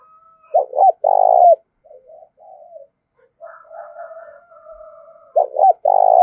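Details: Spotted dove call meant to stir up wild doves and lure them in. Two loud coo phrases, each with short notes and a drawn-out purring note, with quieter coos and a steady thin whistle in between.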